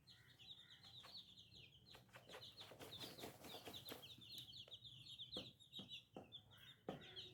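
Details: Chicks cheep continuously in a crowded, high-pitched chorus of short descending notes, broken by many sharp clicks and taps, over quiet background hum.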